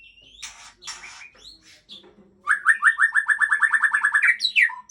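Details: Aceh white-rumped shama. Scattered quiet rough notes and whistles give way to a loud, rapid run of about sixteen repeated clipped notes, finished with a rising whistled flourish.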